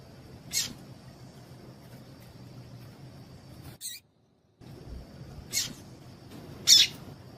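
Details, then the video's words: Double-collared Seedeater female calls, used to get males singing: sparse short high chips at uneven intervals, broken by a brief silence midway, with a faint continuous high tone throughout. "Piado de Fêmea de Coleiro Com Piado de Fêmea de Coleiro Quente para Esquentar Coleiro tui tui"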